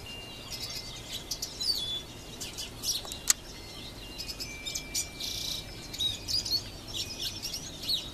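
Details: Goldfinch singing in a tree, captured with a Nikon P510 camera: scattered high, thin chirps and twittering notes coming in short bursts, with a faint steady high tone running beneath.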